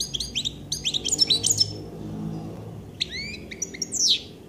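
Common chaffinch singing two bright, high phrases: quick descending series of notes ending in a sharp flourish, separated by a short pause.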